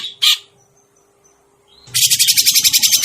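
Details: Grey-cheeked bulbul lure sound for bird trapping: one short harsh note, a quiet gap, then a rapid, steady rattle of buzzy notes with some low rumbling underneath.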